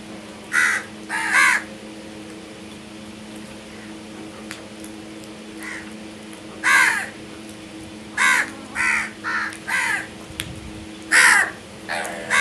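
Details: Crow cawing repeatedly in irregular bursts of one to three harsh calls, some doubled, spread over twelve seconds with a steady background hum.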